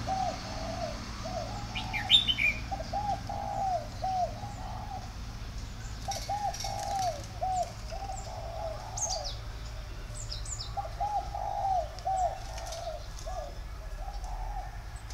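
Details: Tame home-bred spotted doves cooing in overlapping runs of soft hollow notes, with higher chirps from other small birds and occasional wing flaps in a rural setting.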